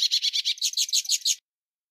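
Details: Metallic song of a hooded siskin, used to tutor young birds: a quick series of about ten sharp, ringing high notes lasting just over a second, then silence.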